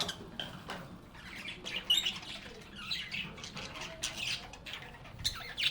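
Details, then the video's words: Parakeets described as happy budgies, playing and chatting with one another: loose, intermittent squawky chirps and short scratchy warbles over a soft hum, with occasional sharper squeaks. "Relaxing Sounds of Singing, Playing, and Talking Parakeets"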